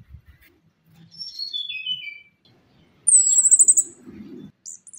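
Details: Orange-headed thrush lure song, used to coax birds silent after moulting to sing: clear whistled notes stepping downward, a pause, then a fast, very high, buzzy trill, with faint low rumbling beneath.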